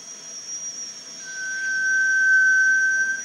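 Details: Malaysian rail-babbler at Panti Bird Sanctuary: one long, pure, thin whistle held at a steady pitch, swelling in loudness and still sounding at the end, over a constant high-pitched background drone.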